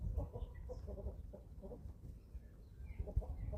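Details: Eleven-week-old chicks at feeding time on a small family farm in Germany give soft, low clucks in an uneven stream, with a few higher squeaks and background rumble.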